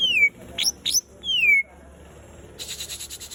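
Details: Greater green leafbird singing loud clear whistles, long downslurred notes alternating with short sharp high notes, followed by a rapid clicking rattle.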